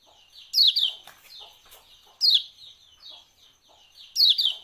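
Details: Lemon-bellied white-eye (Lombok) "ciak-ciak" lure recording used to prompt birds to sing: bright, harsh, descending chattering bursts about every two seconds, with soft high chips in between.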